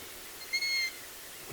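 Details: Wild long-eared owl chick heard on a BirdWatch Ireland outing: a single short, squeaky, slightly rising note with bright overtones, like a creaky gate, over quiet background hiss.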